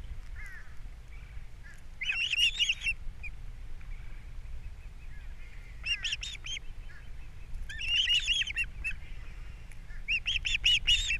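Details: Osprey pair at their Captiva nest on April 3, 2022, fish brought in and chicks being fed; four separate bursts of excited, high chirping calls spaced a few seconds apart over soft background hiss.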